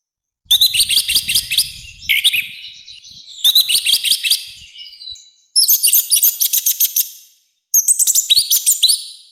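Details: Loud, rough song of an orange-headed thrush, used for training and provoking birds: five dense bursts of quick, sharp whistled notes separated by short silences, the later bursts higher and rolling.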